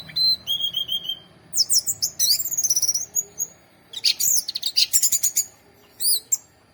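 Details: Orange-headed thrush in varied song: a clear whistled note falling, then bursts of rapid, high slurred notes and dense chattering phrases with pauses between.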